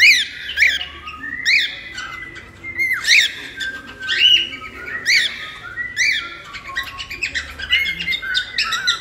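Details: Pet cockatiel heard for taming: sharp, arching chirps repeated about every second, mixed with short bright whistles and squawks, steady and lively throughout.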